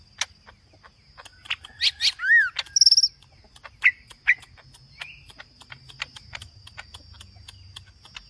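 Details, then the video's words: Green leafbird in aggressive, lively full song, from Lombok: scattered whistled notes, a rising-falling slurred whistle and a high trill in the first three seconds, then sparse faint clicks and ticks. "CUCAK IJO GACOR AGRESIF FULL ISIAN"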